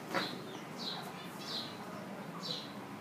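Four short, high, slightly slurred notes from a chukar partridge, spaced about every three-quarters of a second over a low, steady background hiss.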